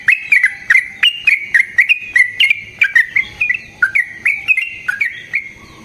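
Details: Yellow-vented bulbul giving a long rolling fighting song, used as a lure to provoke other bulbuls and as a training master; loud, sharp chattering notes with downward flicks, repeated about twice a second in an even run.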